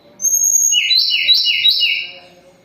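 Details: Sunda robin singing strongly while moulting: a high thin whistle, then a run of bright, wavering, buzzy whistled phrases stepping between higher and lower pitches for nearly two seconds, fading at the end.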